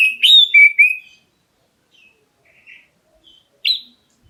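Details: Oriental magpie-robin of the black-breasted form calling to lure other birds into answering: a quick run of three loud, dropping whistles, soft faint chatter, then one more sharp whistled note near the end.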